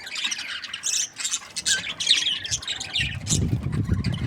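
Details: Budgerigar warbling and chirping: a continuous tangle of high scratchy notes, overlaid near the end by a low rumbling background noise.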